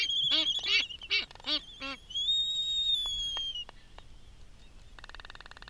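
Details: Black-footed albatross at Midway Atoll feeding its chick, the research-marked adult carrying a GPS data logger; five loud harmonic nasal calls in quick succession, a long thin descending whistle, sharp clicks, then a buzzy pulsed tone.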